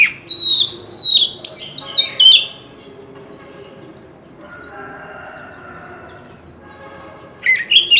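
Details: Oriental magpie-robin, wild-type voice, giving a lure song for singing contests: a fast run of loud, high, falling whistles, then quieter isolated notes spaced out, with a thin steady tone in the background.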